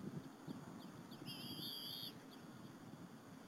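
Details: At a Berry College nest, two bald eagle eaglets and their mother share a squirrel lunch on an April 2015 afternoon; one drawn-out, wavering high squeal follows brief faint chirps, over a steady background hiss.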